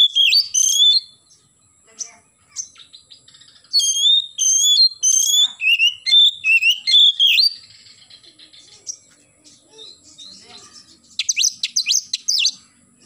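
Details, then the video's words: Oriental magpie-robin singing loudly in the morning in the gacor nembak style: bursts of rich whistled phrases, rising and falling notes run together, then a pause, then quick sharp chirping notes near the end; a thin steady high tone persists throughout. "KACER GACOR pagi hari nembak"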